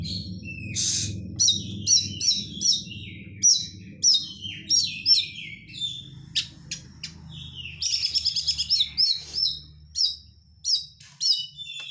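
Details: Oriental magpie-robin giving close crecetan chattering as a lure for kept birds; a long string of rapid high chirps, clicks and whistled slurs, several per second, over a faint low hum.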